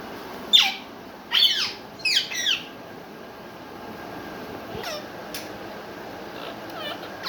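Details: Caged pet rose-ringed parakeet perched on a basket, uttering three quick bursts of harsh, high squeaky syllables in the first few seconds, then faint sharp chips over a quiet indoor background.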